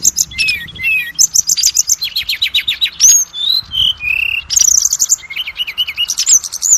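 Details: Oriental magpie-robin song, used as a lure to spur other magpie-robins into singing: loud, varied phrases of clear whistles, rapid repeated high notes, slurred falling and rising tones, and sharp trills, delivered without pause.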